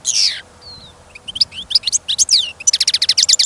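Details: Caged European goldfinch on trial listening, taken outdoors during a trapping trip amid sudden snowfall and wind, opens with a harsh buzzy burst, then tumbling high twitters and a fast run of evenly repeated bright notes.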